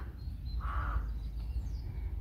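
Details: A rook at a rookery of communally nesting birds gives one harsh, rasping caw lasting about half a second, over a steady low wind rumble.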